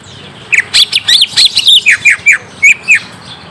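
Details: Greater green leafbird song for luring a young bird to answer: a brisk string of loud, squeaky downslurred chirps and twitters, about a dozen notes in three seconds.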